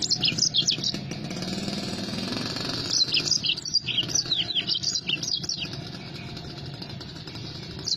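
A yellow-fronted canary sings a lively, continuous run of high, sweeping twitters and trills over a low engine rumble.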